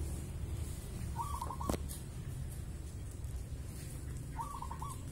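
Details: Local wild zebra dove (perkutut) calling just before dusk: two short, stuttering, rolling coos about three seconds apart, faint against a steady low rumble of background noise.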